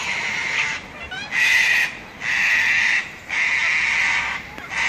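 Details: Sulphur-crested cockatoos at Robertson Park, St Lucia: four loud, coarse squawks, each roughly half a second to a second long, separated by short gaps and delivered at a steady pace.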